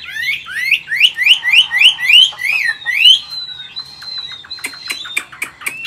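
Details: Chinese hwamei, an older wild-caught bird now caged, singing in forest-voice style: a run of rising whistled notes repeated about four per second, then a long drawn-out clear whistle and several sharp clicking notes.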